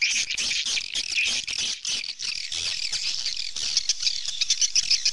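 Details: A continuous, shrill twittering of many swallows, with high chirps and squeaks layered densely throughout.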